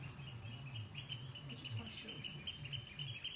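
An oystercatcher gives rapid, high piping notes repeated several times a second over a low rumbling background with a murmur like distant voices.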